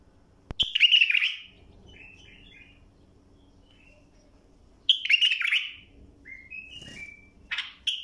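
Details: Bulbul song played for tutoring young birds to sing: two loud, rich warbled phrases around a second long, separated by a long pause with a few faint soft notes, ending on a short clipped phrase.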